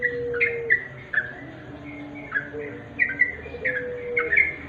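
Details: Wild sooty-headed bulbul at twilight, sounding brief clipped chirps and slurred notes, some paired, spaced irregularly across the recording, with a soft continuous low drone and faint steady tones underneath.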